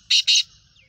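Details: Black francolin, locally Kala Teetar, described as a Gangas Sheedi cross: two loud, harsh, buzzy high notes in quick succession, the second slightly longer, then quiet with a faint low rumble.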